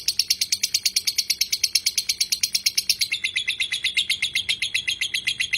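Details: Lovebird giving a long ngekek, a sustained chattering song: rapid high, sharp notes repeated without pause, pitch dropping slightly midway.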